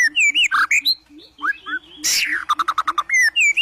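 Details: White-rumped shama, agitated and seeking a rival to fight, delivering loud varied whistled notes, rising and falling slurs, a harsh burst, then a rapid series of sharp repeated notes, over a low regular pulsing rhythm in the background.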